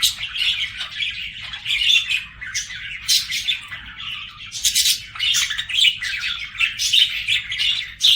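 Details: Budgerigars singing: an unbroken, noisy warble mixing squawky chirps, clicks and squeaks, rising and falling in loudness.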